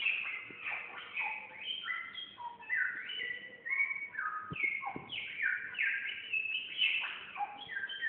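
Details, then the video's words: A samyong sings vigorously, pouring out rapid, varied phrases of clear whistles, quick downslurred notes and chattering trills, with short pauses between bursts and a couple of sharp clicks partway through. "burung samyong gacor"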